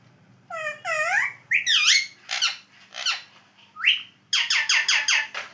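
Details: Pet Alexandrine parakeet mimicking words: rising, speech-like squawks and whistled notes, ending in a rapid run of about six harsh, repeated syllables, with a low background hum.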